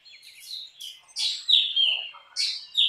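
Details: Black drongo song made of loud, rasping downslurred notes followed by clear whistled tones, delivered in quick bursts roughly every second, with fainter chatter between phrases.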